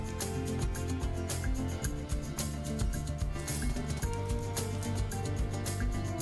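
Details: Instrumental music with rhythmic percussive clinks and low bass notes throughout, with no animal voices.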